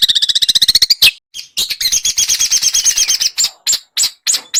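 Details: Small birds used as training song to make a white-rumped shama sing: opens with a fast run of evenly repeated high chirps, then a dense warbling trill, followed by sharp separated high notes with brief pauses.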